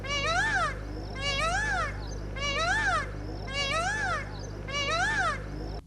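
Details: Indian peacock, calling in the evening under dark cloudy sky to gather his family to roost treetop, gives five loud, wailing cries about a second apart, each arching up then down, over a steady low hum.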